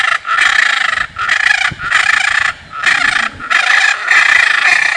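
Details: Loud, raucous squawking from a blue macaw: five or six drawn-out, grating screeches, each about half a second to a second long, separated by brief pauses, rough and nasal throughout.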